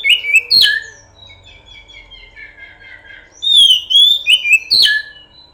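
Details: Kacer, the oriental magpie-robin, singing a pancingan lure song: a sharp opening note, then soft sliding whistles, then a bright burst of clear, rising and falling whistled phrases near the end.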